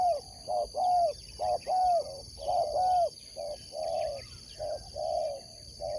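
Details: Spotted dove in a sport dove competition: a run of low, hollow coos with short breaks, in uneven phrases about once a second. A steady high whine and faint chirps from small birds run behind.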